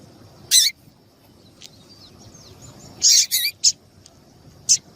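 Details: Female double-collared seedeater piping, meant to get males singing quickly. Isolated high, harsh chirps, one early and then a tight cluster of three, followed by a lone late note, over low hiss and faint thin whistles.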